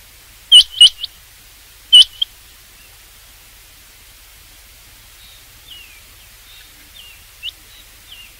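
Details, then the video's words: Rain quail giving a few loud, clipped metallic notes, a close pair followed by a single note, then silence broken only by faint thin chirps from other small birds. "rain quail sound for hunting چنگاکی آواز شکار کیلئے"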